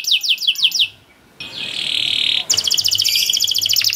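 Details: Canary song in long cuit cuit masteran style for training young canaries. A quick run of high chirps, a brief pause, a harsh buzzy block of sound, then a fast, even, rattling trill.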